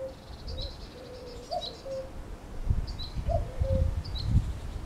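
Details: A cuckoo in May gives two soft two-note 'cu-coo' calls, each dropping in pitch, over a low rumbling noise, while another bird adds faint high chirps.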